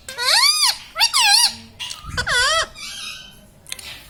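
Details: Pet Indian ringneck parakeet, a talking parrot known for laughing; series of four loud arched, harmonic squawks, each rising then falling, followed by softer noisy chatter in a small room.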